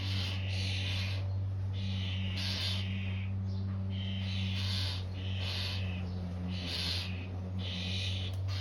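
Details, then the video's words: Starling nestlings give harsh, raspy hissing bursts, roughly one a second, over a steady low mechanical hum. "Starling babies making a noise"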